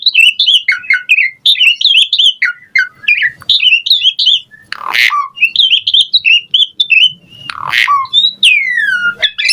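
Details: Asian pied starling singing a busy 'full isian' song: rapid chattering chirps at mid pitch, broken by two harsh rasping bursts, then a long falling whistle and high squeaks.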